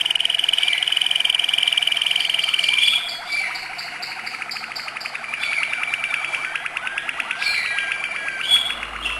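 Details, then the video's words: Malinois canary in acute-note song: a loud, very fast pulsing roll for three seconds, then softer continuous bubbling trills with a high whistled accent near the end. "malinois singing acute notes"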